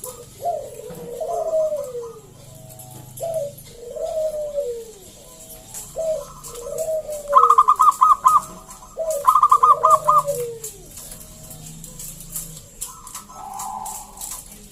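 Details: Local wild zebra dove, a perkutut in lively singing form, used as a lure to draw other doves into song: low descending coos in short phrases, with bursts of fast, rattling, higher staccato notes near seconds 7 and 9.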